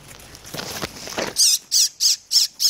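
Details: Shiny cowbird nestling, hand-reared while parasitized by 27 Philornis larvae: after rustling handling noise, five loud, high, raspy calls follow in quick succession, each about a third of a second apart.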